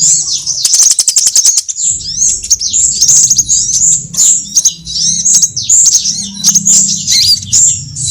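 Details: Trapping lure of sunbird calls covering all kinds: a rapid run of sharp ticks opens, then continuous high, squeaky chirps and short upslurred whistles follow almost without pause.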